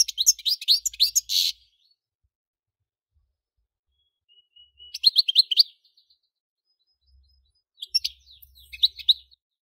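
A European goldfinch sings bursts of quick, high, tinkling twitters and trills, each about a second long, separated by short pauses.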